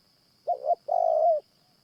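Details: Spotted Dove cooing during a morning trapping session with a caged decoy dove: one mellow phrase, a short double note then a longer sustained coo that falls at the end, over a steady high whine.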